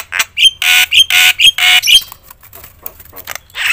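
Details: Loud Javan myna (jalak kebo) singing to provoke other mynas: a series of harsh, broadband squawks alternating with short clear whistles over about two seconds, then quieter scratchy notes and a final rasp.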